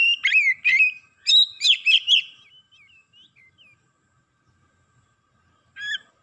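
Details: Excited Oriental magpie-robin (kacer) delivering a varied song: loud whistled phrases with rapid trills around two to four kilohertz-like high notes, then soft descending chirps and a brief final burst after a pause.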